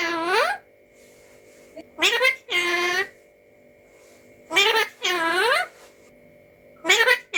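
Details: Pet Alexandrine parakeet talking: harsh, nasal, voice-like bursts, several with a sliding, falling pitch, coming in short groups of one or two separated by pauses, in a quiet indoor room.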